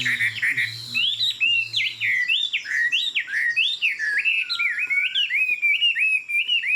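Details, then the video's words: Tame Chinese hwamei with a fig-leaf tail, singing from a high perch: rich looping whistles that climb and drop in steady phrases, with a faint low hum early on. "Họa mi thuần, Đuôi lá vả, Chim hót cao cầu"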